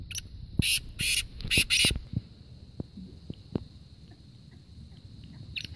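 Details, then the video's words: Black francolin from Kohat, Khyber Pakhtunkhwa, in a calling contest between friends' birds: one phrase of four harsh, scratchy notes with a short pause between the second and third, then faint clicks and a steady high background tone. "Kala teetar _awaz|black francoline_ voice|kala teetar"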